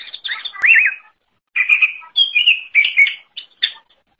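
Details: Greater green leafbird song for training songbirds: a looping, wavering whistle, then short bursts of bright, slurred whistles and chirps in quick succession, with sharp clicks between them.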